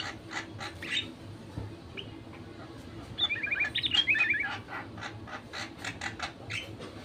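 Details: Lure song of a sooty-headed bulbul meant to coax other bulbuls into singing: a brief cluster of quick, liquid descending notes midway, surrounded by steady sharp clicking or tapping sounds.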